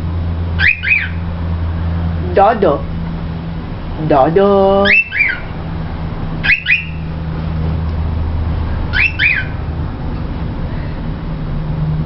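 A young cockatiel tries out its first whistles: short bright chirps and one wavering, rising warble, a few seconds apart, over a low steady hum.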